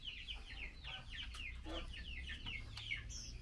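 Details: Chinese hwamei female calling the male at mealworm feeding: quick repeated downward chirps in a busy run, with a brief higher whistle near the end and steady low hum.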